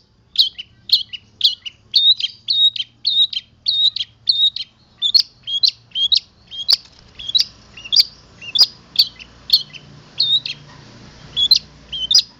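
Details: Boja local long-tailed shrike delivering isian fill-in song with odd mimicked sounds: a steady stream of short, high, chirpy notes, about one to two per second, with a few sharp clicks and a faint hum behind.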